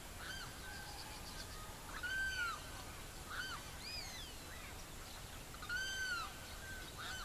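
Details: Savanna Hawk in Barinas, Venezuela, giving clear, arched, slurred screams about half a second long, two of them four seconds apart, with softer calls from other birds between.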